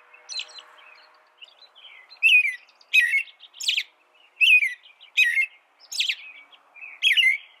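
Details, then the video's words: American robin singing: a faint high phrase, then loud warbled two-to-four-part phrases repeated about every 0.7 seconds, each mixing low caroling notes with thin, squeaky overtones. "American Robin Bird Sound, Bird Song"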